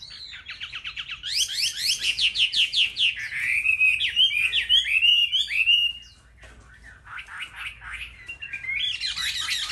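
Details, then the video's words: Chinese hwamei singing competitively among chosen market birds: a burst of rapid repeated sweeping notes builds into loud slurred whistled phrases, a brief pause, then more fast repeated notes climbing higher at the end. "Họa mi hót đấu"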